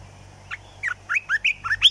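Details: Caged Olive-winged bulbul kept as a decoy for trapping, singing a quick phrase of about seven bright, bubbly notes that jump up and down, ending on a higher slurred whistle.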